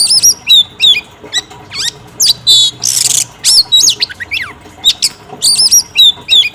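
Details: Female oriental magpie-robin singing to provoke a male into song: varied loud phrases of whistles, sharp down-slurred notes, rapid upward sweeps and a harsh burst near the middle, with short gaps between phrases.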